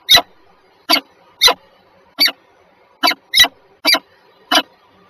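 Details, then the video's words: Peregrine falcons, two birds, Żerań in Warsaw, Poland, 14 February 2023, 7:47 a.m.: eight hoarse, clipped notes at uneven intervals of roughly half a second to a second. Some come in close doublets over a soft background murmur. "sokoły wędrowne"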